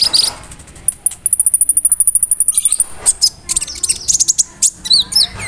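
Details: Konin bird imitating a cricket among other mimicked calls, a song used to teach other cage songbirds; a rapid, even, insect-like trill of high pulses, then varied chirps and downslurred whistles.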